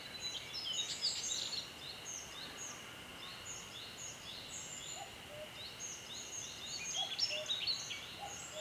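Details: Song of a male Daurian redstart breeding in Shinshu, Japan: bright high twittering phrases with fast chirps at the start and end, a softer stretch between, steady background hiss.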